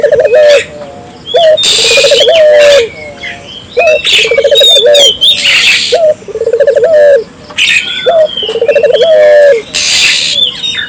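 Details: Barbary dove, lively repeated cooing meant to set local doves calling: about seven low phrases spaced roughly every one to two seconds, each a short note then a rolling trill, with chattering birds and occasional hissy bursts.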